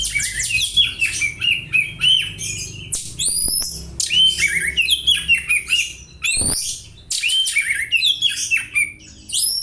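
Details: Oriental magpie-robin mimicking house sparrow chirping for use in tutoring other birds: busy bursts of quick, bright chirps and rising notes, broken by brief gaps and one sharp click.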